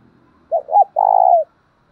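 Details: Decoy spotted dove calling to draw in wild doves, with the 'thổ đồng' voice style. It gives a single loud coo phrase: two brief, arched notes followed by a sustained, even, low note that falls at the end.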